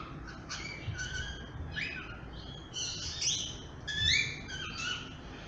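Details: Talkative grey-headed parrot giving a rapid, irregular series of short chirps and clipped whistles, some rising and some falling, with a few louder squeaky notes near the end over a faint low hum.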